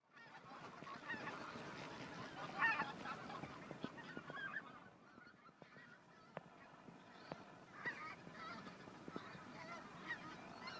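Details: Greater white-fronted geese newly arrived in spring 2019 at Kalvi village, Virumaa; a flock gives overlapping high, yelping honks, with louder bursts near three and eight seconds over a steady background hiss.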